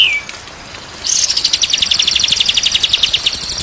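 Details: White-rumped shama on a day-and-night tutor recording: one brief falling whistle, a pause, then a steady high pulsed rattle of about ten beats per second lasting over two seconds.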